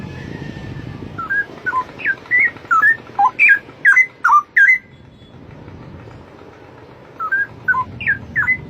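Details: Straw-headed bulbul singing in the wild, a loud bird: rich liquid whistled phrases of rising and falling notes delivered in a burst of about fourteen notes, a pause with low background rumble, then a shorter burst of similar warbling whistles.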